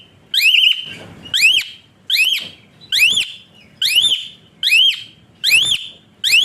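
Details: Asian pied starling, a kept bird whose whistle-like voice is used as a tutor to train other birds and spur lazy singers, giving loud rising whistled notes with a sharp upward slur, repeated about once a second in rough, dense bursts.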